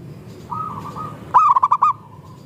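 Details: Local zebra dove song, used to stimulate other doves into singing: a soft, drawn-out purring coo from a farther bird, then one loud, close phrase of five rapid, pulsing staccato notes, with low background rumble.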